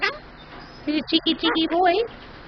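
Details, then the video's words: Pet male superb parrot mimicking human speech, saying phrases like "thank you" or "kiss": a run of choppy, nasal, voice-like syllables with rising and falling pitch, lasting about a second and a half. "my superb parrot talking"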